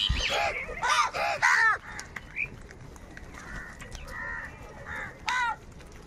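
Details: Crows fighting for food: three loud ragged caws in quick succession open, followed by softer, spaced calls and one final harsh caw.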